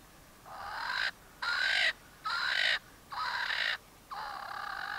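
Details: Swainson's francolin in early morning sun near Satara Rest Camp, Kruger National Park, South Africa, gives five loud, harsh, grating crows, each about half a second long, roughly a second apart, over a quiet background.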